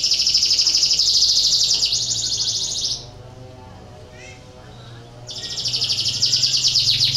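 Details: A canary in breeding condition sings to stimulate other canaries: a fast, bright, rattling trill lasting about three seconds, a short quiet pause, then another rapid high trill.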